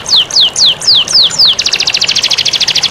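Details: Canary master song for prompting lazy birds to sing: six slow whistled descending slurs, each about a quarter second apart, then a very fast rattling trill of tightly packed notes.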